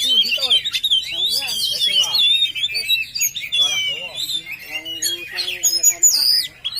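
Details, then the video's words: Oriental magpie-robin in full song; a dense, varied stream of high sweet whistles, slurs and rapid trills, with sharp upward sweeps near the end. "Suaranya Bikin Candu Kacer Lain"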